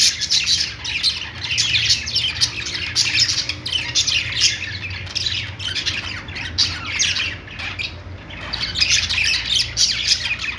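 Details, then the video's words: Pet store budgerigars in continuous group chatter, overlapping rasping squawks and quick warbled chirps with a few brief dips, steady low indoor hum beneath. "budgies singing | budgie sounds"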